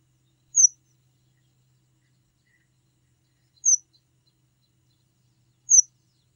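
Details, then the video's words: Red avadavat calling: three short, piercing high chips spaced roughly two to three seconds apart, clean and isolated with no other sounds. "Red Munia Call"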